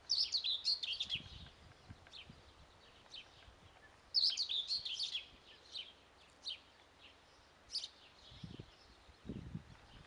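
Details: Young guineafowl keets peeping: bursts of high, thin chirps in quick runs, two dense flurries near the start and middle, then scattered single peeps, with faint low thumps toward the end.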